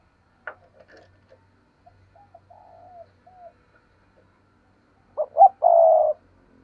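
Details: Spotted dove cooing as a lure meant to make wild doves coo back. A few faint soft notes come first, then near the end one clear coo: two short low notes followed by a longer, steady hooted note.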